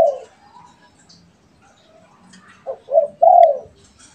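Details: Spotted dove call: after a quiet stretch, two brief low coos lead into a longer smooth drawn-out note, a pet and a wild dove trading calls.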